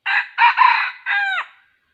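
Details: Red junglefowl crow at a 2020 trapping site, where the bird serves as a decoy: a loud four-part crow, with three clipped harsh syllables and a final drawn-out note falling at its end.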